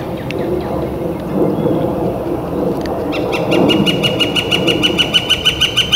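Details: Northern flicker in spring, on a warm, clear late-April day, with a few faint distant chirps at first, then a fast series of ringing notes repeated about three times a second through the last three seconds.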